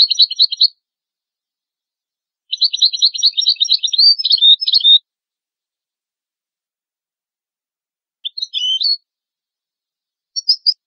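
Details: European goldfinch song, used for tutoring young goldfinches and hybrid chicks: bursts of rapid, buzzy, tinkling twitters, one long phrase of about two and a half seconds and shorter fragments, separated by silences, with a clean, quiet background.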